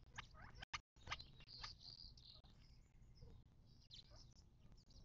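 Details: Desert birds at a watering hole in the western Mojave Desert of southern California, near Joshua Tree National Park, on 19 March 2024: faint, short high chirps and thin whistles scattered through, over a steady low rumble of background noise.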